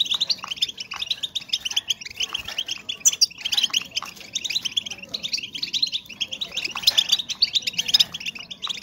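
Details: Several female European goldfinches twittering, their calls meant to stimulate breeding readiness in males. Quick high chirps pour out in a continuous busy stream, with a few louder notes standing out and a soft low hum behind.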